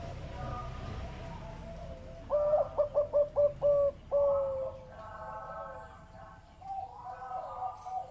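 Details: Big-voiced zebra dove delivering one loud run of about six quick, clipped coos that ends in a longer drawn-out note, with softer mixed background voices before and after.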